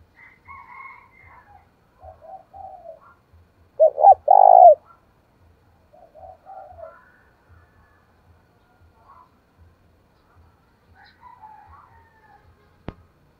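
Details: Spotted dove cooing in a provocative fighting style meant to lure wild doves. One loud, deep double coo sounds mid-clip. Softer, lower coo phrases come before and after it, with faint low ticking throughout and a sharp click near the end.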